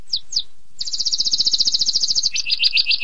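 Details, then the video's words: Canary delivering two quick downslurred chips followed by a fast, even high trill that steps down into a slower lower series of repeated notes. "Suara Burung Kenari durasi panjang!!"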